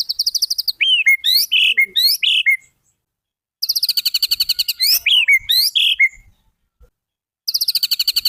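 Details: White-rumped shama song used as a master recording for copying, with rapid rattling trills repeated in bursts, interspersed with loud downward-sweeping whistled notes, separated by brief pauses.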